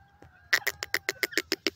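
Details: Francolin (teetar) giving a fast series of about nine sharp, rasping notes, roughly seven per second, after a short quiet start. Faint steady tones run underneath.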